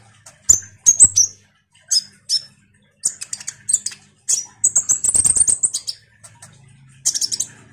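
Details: Common iora singing vigorously as a lure sound that kolibri ninja birds respond to: shrill high chirps, then dense stuttering notes and a rapid, even run of sharp high-pitched pips near the middle.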